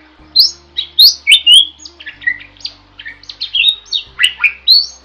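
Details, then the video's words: Gacor-style starling song, a jalak masteran recording: a dense run of varied whistles, squeaky slurs and short chirps, jumping between high and mid pitches with scarcely a pause, over a faint low hum. "Suara Burung JALAK GACOR, Bisa Untuk Masteran"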